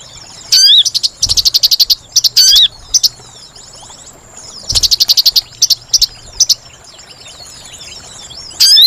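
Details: Sooty-headed bulbul lure call used for trapping birds: loud high whistled notes with hooked, rising-and-falling shapes, alternating with rapid buzzy chattering bursts, then quiet pauses and a final whistle.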